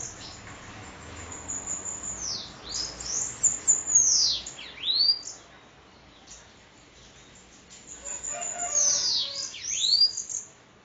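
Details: Sibite from Parnamirim, Rio Grande do Norte, described as 'endemoniado'. High, thin whistled notes sweep sharply downward then back up in quick bursts, two clusters separated by a quiet gap, with faint background hiss.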